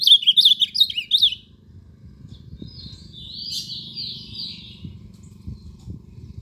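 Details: Ultramarine grosbeak song: a loud, fast run of high, sweeping whistled notes for just over a second, followed by a quieter, buzzier warbled phrase, with faint low rumbling underneath.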